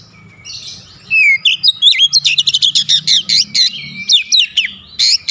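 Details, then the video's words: Oriental magpie-robin giving its aggressive shooting song display, a rapid run of sharp, varied whistled and chattering notes repeated several times a second after a short quiet start. "KACER NEMBAK NEMBAK BONGKAR ISIAN"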